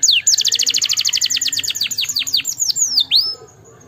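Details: A canary sings to encourage lazy canaries: a steady fast trill of bright repeated notes that gradually slows into a few long descending whistles, then fades to quiet.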